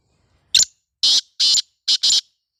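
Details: Black francolin, the kala teetar of the Sindhi strain, kept as a pet: five harsh, loud, grating notes in a quick sequence, the first single, then two spaced pairs, over a silent background.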